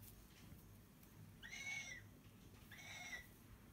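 A cockatoo gives two harsh, raspy screeches about a second apart, each lasting under half a second, over a low indoor hum.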